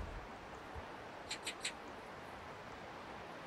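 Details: Eurasian magpie in a territorial standoff with crows on an apartment rooftop in early November 2024, giving a short harsh chatter of three rasping notes against steady background noise.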